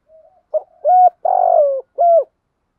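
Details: Spotted dove, a cooing phrase beginning with a faint soft note, then a short coo, two longer hollow coos and a final coo in quick succession, the third note stretched and slightly falling.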